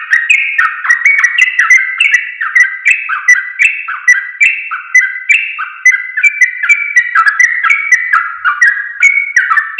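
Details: Yellow-vented bulbul training song for tutoring caged birds to sing: loud, continuous, bubbly chatter of rolling whistled notes stepping up and down, densely layered with no pauses.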